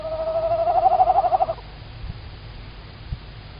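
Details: A female Tawny Owl calling very close at 19:16 on 9 March 2019, Estonia, live nest camera: a mid-pitched, quavering, rapidly pulsed call of about a second and a half, then a couple of faint low knocks.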